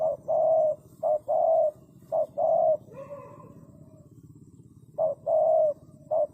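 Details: Spotted dove calling: a series of soft, low hooting coos in short phrases, each phrase of brief and longer notes, repeated roughly once a second with a pause mid-clip, faint chirps of other birds in the gap.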